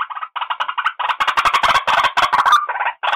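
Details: White-breasted waterhen calls used as a lure: a rapid, irregular series of harsh, clattering notes, about three per second, merging into a dense chattering burst midway before returning to separate croaks.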